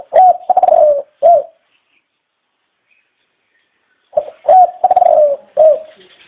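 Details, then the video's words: Dove cooing in two rolling phrases, each a short note, a longer wavering coo, then a clipped final note, with a pause of about three seconds between them. "Chim Cu Chào Đón Tất Cả Mọi Người"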